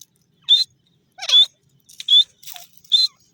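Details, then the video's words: Five piercing whistled notes from a grey francolin in forest, spaced about half a second apart, some with a rough descending tail, with clean silence between them. "dakhni teetar ki awaaz,teeter awaz"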